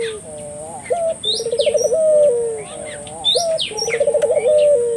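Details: Spirited puter dove call meant to stimulate local doves: two phrases, each a short note then a pulsing rolled trill ending in a long sliding coo, while small birds chirp and a thin high whine continues.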